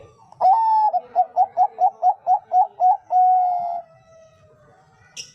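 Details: Full Bangkok-type zebra dove phrase: a rising opening coo, then about ten rapid, bouncing staccato coos, closed by a drawn-out level coo, with a brief high chirp near the end.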